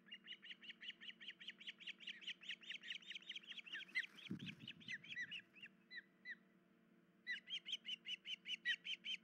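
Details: Osprey pair at a nest with chicks, the female with an injured leg, 10 July 2019 before dawn; a fast run of high whistled chirps, about two per second, a brief thump midway, then a renewed burst, over a steady low hum.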